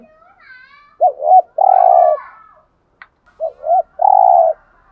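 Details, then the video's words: Spotted dove cooing, meant to rouse caged males. Soft high whistles open, then two phrases of looped double coos, each ending in a long, steady, throaty coo, separated by a brief click. "Tiếng Cu Gáy Giọng Hạp BổI ĐỦ BÀI { GÁY GỌI,THÚC,GÙ } Kích Bổi Nhanh Nổi"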